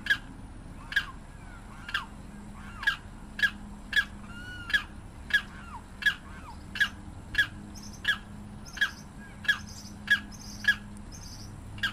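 A Limpkin gives loud, harsh, clipped squawks about twice a second for the whole stretch, while a few thin, high whistles from other birds sound in the background.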